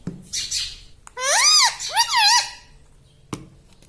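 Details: Pet green parrot talking like a human: one loud, arching, nasal phrase of three or four syllables, preceded by a softer hiss and followed by a single knock.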